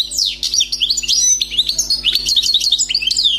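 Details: European goldfinch, a wild bird recently trapped, pouring out a lively, unbroken stream of sharp twittering notes, quick rising and falling slurs and short buzzy trills for over three seconds, with steady faint hum beneath.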